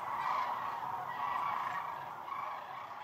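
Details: Massed sandhill cranes along the Platte River during peak northern migration, hundreds of thousands present; a moderately loud, continuous wash of rattling calls from countless birds, blended into one even chorus.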